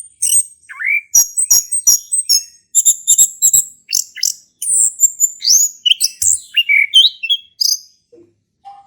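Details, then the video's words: Singing male orange-headed thrush, played to coax a quiet bird into song, delivers a long jumbled medley of high chirps, clicking rattles and sweeping whistles, notes tumbling out several per second without pause. "Anis Kembang Jantan Gacor buat pancingan anis kembang macet bunyi"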